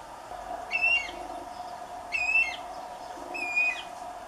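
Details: Guira cuckoo (anu-branco) giving three loud, piercing whistled calls, each slightly slurred, spaced about a second and a half apart, over a low background hum.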